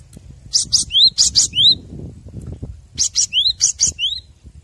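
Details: Master recording of a cinereous tit singing, meant to train captive birds: two bouts of buzzy double bursts and rising whistles, separated by a short pause filled with low background noise.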